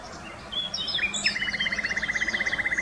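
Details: Nightingale singing in 2020 near Wittlich: a few whistled slurs, then a fast, even rattle of repeated mid-pitched notes, about ten per second, continuing steadily to the end over a faint low hum.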